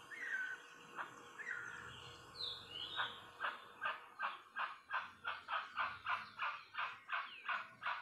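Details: Rusty-margined guan (Penelope superciliaris) song: a few opening whistled slurs, then a fast series of harsh, honking squawks, nearly three per second, over a faint insect hiss.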